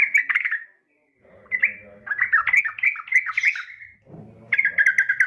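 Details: Yellow-vented bulbul female calling a male with bursts of bubbly, warbling chatter broken by a pause, with a faint low rumble in the background between phrases.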